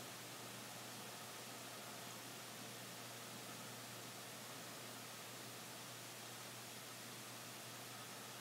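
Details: Steady broadband hiss with a low electrical hum and nothing else.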